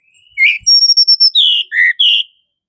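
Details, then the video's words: Tledekan gunung singing a short, loud phrase of high, clear whistled notes: a thin sustained whistle broken into quick pulses, then lower slurred notes swinging up and down, lasting about two seconds. "tledekan gunung"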